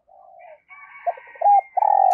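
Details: Caged decoy spotted dove calling wild birds in with 'thúc' and cooing: soft murmured notes, a few short clipped coos, then a loud sustained buzzy coo at the end.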